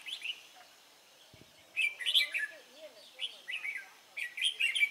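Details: Red-whiskered bulbul, a freshly caught wild bird, recorded 23 April 2017: short chirpy warbling phrases in three bursts, with soft lower twittering from another bird and light background hiss.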